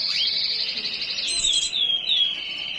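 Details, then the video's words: High, continuous buzzy trilling from a white-eye in breeding condition, opening with a rising note and easing slowly lower in pitch, a few thin whistled slurs woven through. "pleci birahi"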